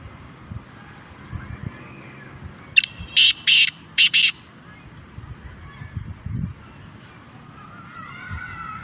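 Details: Black francolin, known locally as kala teetar, gives a single rasping call of five notes: a brief clipped start, two drawn-out harsh notes, then two shorter ones, about one and a half seconds in all; faint thin whistles and low background rumble follow.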